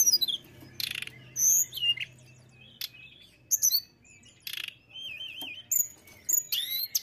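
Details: High-pitched, varied song from a mountain tailorbird: sharp whistled slurs, a wavering warble, brief rattles and rough buzzy bursts, in uneven phrases spread across several seconds.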